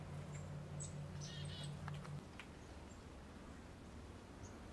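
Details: A brown creeper in Western Canada gives a few very high, thin, hissing notes, scattered irregularly over a low, pulsing rumble from a motor or wind.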